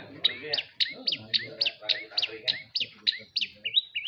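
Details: Madura long-tailed shrike kept in a cage, repeating a quick whistled phrase about four times a second, each a sharp high note falling into a short slurred tail, while men talk quietly underneath.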